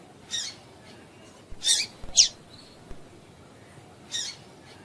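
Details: Female double-collared seedeater chirps for encouraging males to sing: a soft chirp, then two louder harsh chirps close together, and a final fainter chirp after about two seconds, with light background noise.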